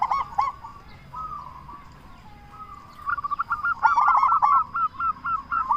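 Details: Zebra dove, local strain, loud lure caller: a quiet rolling coo builds into a lively run of clipped, bright notes, then a fast staccato burst and spaced repeated coos about four a second.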